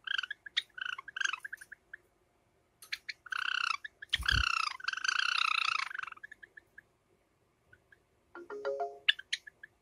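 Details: Caged pair of Java sparrows, one light silver ino and one sakura, during summer: bursts of quick chirps, then sustained rasping churrs, a lone thump, and a final descending buzzy note.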